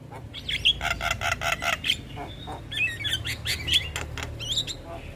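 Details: Javan myna singing in the morning, a mix of harsh broadband clicks and rattles in rapid bursts with short whistled notes near the top, over a low steady hum.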